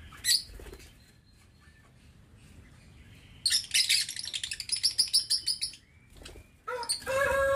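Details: Caged lovebirds in an aviary, November 2022: a brief shrill squeak, then a long burst of rapid high chirps mixed with fluttering wingbeats, followed by scattered sharp notes and a final rising squawk.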